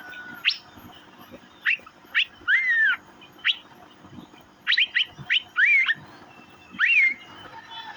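Asian fairy-bluebird giving sharp upslurred chirps and liquid rising-then-falling whistles, in scattered bursts of two to four notes against a quiet background.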